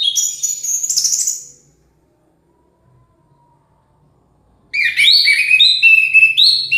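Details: Orange-headed thrush singing hard. A high twittering phrase fades out, then comes a long pause. A loud, dense run of varied whistled and warbled notes follows, swooping up and down.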